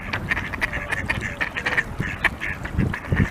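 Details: Khaki Campbell duck uttering a quick series of clipped, nasal quacks, closely spaced and uneven in rhythm, with some low thuds in the background.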